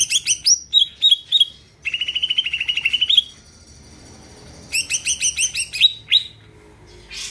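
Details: Greater green leafbird in vigorous song meant to make other birds sing: rapid ringing chirps, a long trilled run of about a dozen notes, a pause, then another fast series of bright chirps.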